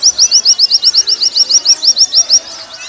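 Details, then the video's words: Caged-bird training song of a Warbling white-eye: around fifteen crisp, high, evenly spaced chirps in quick succession, trailing off at the end. "Masteran pleci paling ampuh"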